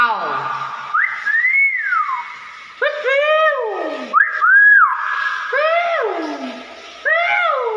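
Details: Pet common hill myna giving a series of loud, clear whistles, each sliding up then swooping down in pitch, rich with overtones, repeated about every one and a half seconds with brief gaps between.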